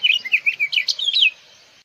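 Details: Brief House Finch song burst: about a dozen quick, chirpy slurred notes in a bouncy run lasting just over a second, ending abruptly against a soft hiss.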